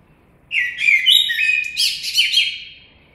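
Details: A common blackbird sings a dense phrase of mellow whistled notes mixed with quick, chattering higher elements, lasting about two and a half seconds before trailing off.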